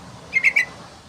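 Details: Yellow-vented bulbul lure and tutor recording: a brief burst of three whistled, slightly rising chirps in quick succession, over soft background hiss.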